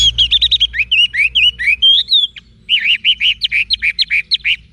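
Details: Orange-headed thrush (anis merah), a cage bird from Singaraja, Bali; continuous rapid song of varied looping and slurred whistled notes, dense and energetic, broken by one brief pause midway.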